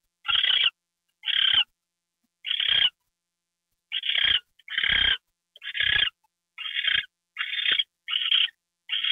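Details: Owl during a mouse treat at 9:33 PM, January 28, 2013; ten raspy hissing bursts, gaps shortening toward the end so the calls come faster.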